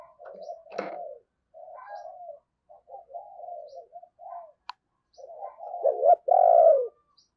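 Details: Spotted dove decoy giving 'thúc' and 'gáy' calls to draw in wild doves: scattered soft coos broken by a few clicks and knocks, ending with a loud double coo.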